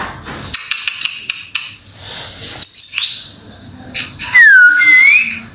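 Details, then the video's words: Indonesian white-rumped shama: a few faint ticks, a brief high burst, then clear pure whistles sliding down and back up near the end, with quiet gaps between. "Kicauan Murai Batu dari berbagai jenis Mutai yang diwilayah Indonesia"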